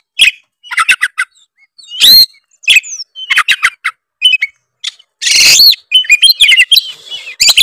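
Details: Oriental magpie-robin, Tretes variety, singing a mimicry-filled song intended to provoke rival birds: scattered chirps and clicks, a loud rasping burst, then a twittering warbled phrase at the end.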